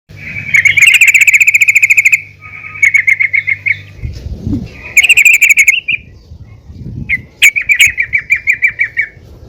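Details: Female yellow-vented bulbul calling to other bulbuls to spur them into singing: fast trains of bright chattering notes, repeated in bursts with short pauses, over a low steady hum.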